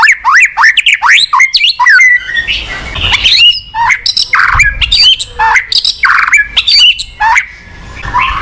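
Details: White-rumped shama singing, a recording meant to prompt a silent shama to sing: fast swooping whistles, then harsher squawky notes mixed with high ringing phrases, closely packed and energetic.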